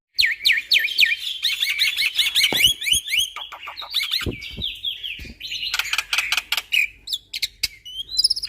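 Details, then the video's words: Black-winged starling singing incessantly, with shot-like notes: wavering whistles, harsh chattering and rapid clicking notes crowd together at a fast, uneven pace for the whole stretch. "Jalak Putih Super Gacor Full Isian Tembakan"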